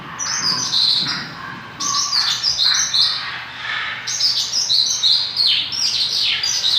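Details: Mongolian lark singing actively (gacor): a dense run of bright, high chirps and quick sliding whistles in bursts, with a short pause near two seconds, then another rapid tumbling phrase.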